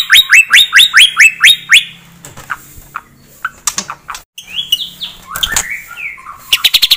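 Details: Aggression-provoking white-rumped shama song opens with about eight rapid rising whistles in a row, followed by quieter scattered ticks and slurred notes, then a closing burst of quick clicks.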